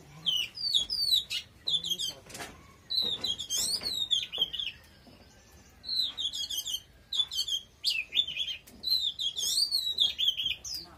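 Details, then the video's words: Very strong Oriental magpie-robin song. Bursts of rapid, high, twisting whistles repeat in phrases, with a brief quiet gap in the middle. "Choè than hót cực khủng"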